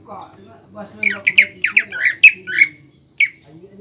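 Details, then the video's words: Greater green leafbird master song with a 'pelatuk bawang' filler, used to lure and train caged birds and described as a melody sought by contest judges: a burst of about a dozen harsh, chirpy squawking notes over low background hum. "PANCINGAN DAN MASTERAN CUCAK IJO GACOR ISIAN MEWAH PELATUK BAWANG"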